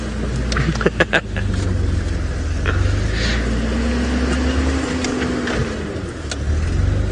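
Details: A vehicle engine idles with a low steady drone and a few sharp clicks, and no animal voice is heard.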